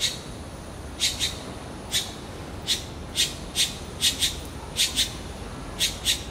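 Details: Red-billed blue magpie calling repeatedly at a big turtle, short harsh clipped notes, single or paired, every half second to a second, over a steady noisy background.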